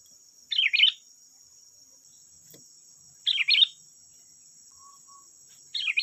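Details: Sooty-headed bulbul song meant to lure other bulbuls into answering: short chattering, bubbly phrases repeated about every three seconds with silent gaps, over a steady high-pitched hum.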